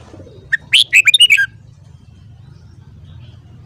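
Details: Red-whiskered bulbul singing in the morning, recorded for voice training: one rapid phrase of about eight clear whistled chirps, loud and bright, followed by silence and a final note.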